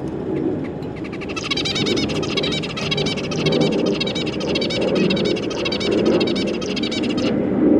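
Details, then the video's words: Zebra finches, two adults and their three juvenile young, 25 July 2022, keep up continuous high, scratchy twittering for about six seconds, set against a loud low rumbling background. "Zebra Finch"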